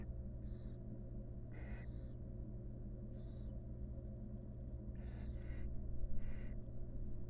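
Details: Grooming mother barn owl with her chicks in a wild nest box; six or seven rough hisses, some in quick pairs, irregular rhythm, over a low hum that rises slightly near the end.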